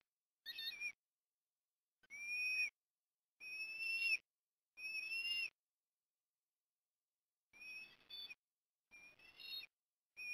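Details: Osprey on its nest at Port Lincoln, Australia, on an afternoon in October 2021 with food deliveries. Seven moderately quiet whistled calls, some slurring upward at the end, spaced roughly one to two seconds apart.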